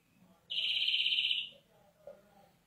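A European greenfinch gives one drawn-out, nasal, wheezing buzz lasting about a second, over faint low background noise.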